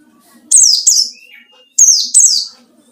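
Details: White-eye song serving as a lure for rival birds: two loud phrases, each a pair of high, sharp, downward-sweeping chirps, with a soft lower whistle between them.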